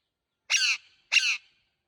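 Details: Two harsh, buzzy screeches from a green parrot, separated by a short pause, in a quiet setting.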